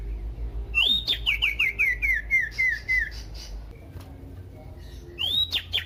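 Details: Common iora (sirtu) in loud song used to stir other ioras to sing: a quick descending cascade of about ten clipped whistled notes, then silence, then a rising, upslurred whistle.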